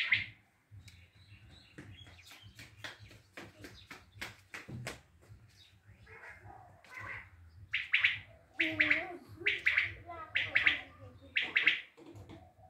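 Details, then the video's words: Common quail from Tajikistan: clicking and rustling noises open the recording, then from midway a run of six loud, high, pulsed triple calls in steady succession. "тожикстондан бедана ишкивозлари учун"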